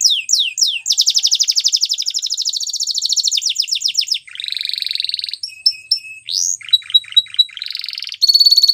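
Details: Canary training song, high and varied: quick downward sweeps, a fast rolling trill, then a lower buzzy stretch, clipped whistled notes and a final sustained bright tone.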